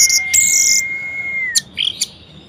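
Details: Orange-headed thrush, a kept songbird, in varied song meant to stir idle thrushes to sing: a long steady thin whistle held over a second beneath high buzzy bursts, followed by short scratchy notes.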